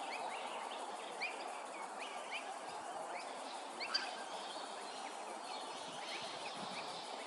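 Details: Laughing Kookaburra at Hervey Bay, Queensland, giving a rolling run of rapid, chuckling notes that rise and fall, set against a steady hiss of background noise.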